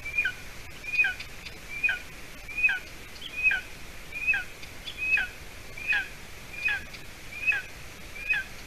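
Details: Golden eaglet in its nest in Latvia, about seven weeks old, on 30 June 2020 around 6:20 p.m. as the adult female brings roe deer leg hide: thin high two-part whistled calls, a sharp note dropping into a lower slur, repeated roughly every 0.8 seconds.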